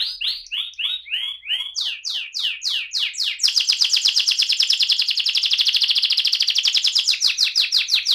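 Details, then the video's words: Rolling 'ngerol' song of an AF canary: looping descending whistles that speed up, then break into a long, loud, rapid buzzing trill that holds steady for several seconds before ending in a few swooping notes. "kenari AF ngerol"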